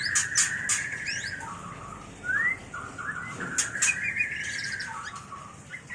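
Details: Mating call of a white-rumped shama: a sustained wavering whistled phrase, with sharp clicks and quick upslurs mixed in, ending in lower whistled notes.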